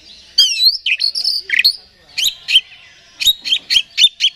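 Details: Oriental magpie-robin (kacer) song used as a lure to provoke another bird into singing: loud varied whistled phrases with sliding notes and sharp clicking chips in bursts.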